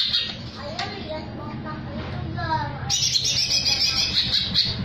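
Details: Greater green leafbird singing in the jamtrok style with tengkek (kingfisher) filler: speech runs first, then a loud, dense burst of rapid high chattering notes ends the recording.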